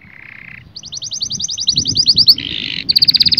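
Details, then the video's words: Canary singing to stimulate mating between males and females. A low buzzy tone gives way to a long run of rapid high pulsed notes, then a harsh double-toned buzz and another quick high trill over faint background rumble. "التغريد الاقوى في عالم طيور الكناري لتهيج الذكور وتهيج الاناث على التزاوج"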